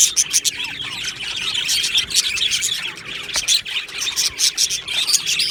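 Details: Budgerigar colony kept in an aviary, 22 June 2025, singing together: rapid scratchy chirping and warbled twitters from numerous birds, with choppy louder bursts toward the end.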